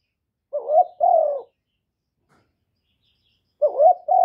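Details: Cooing spotted dove, recorded cleanly: two short, soft hooting phrases of paired notes, a quick rising note then a falling one, separated by about two seconds of silence, the last phrase cut off.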